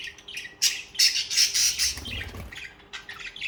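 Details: Budgerigars give fast, harsh chirps and a loud buzzy rasping burst, with a short low rumble of wing flutter in the middle.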